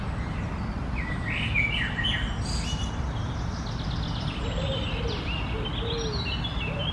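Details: Common blackbird singing on a morning, 1 June 2020, at the close of a garden feeder session: short fluted warbling phrases with higher twittering notes, soft lower notes later, over a steady low rumble of background noise.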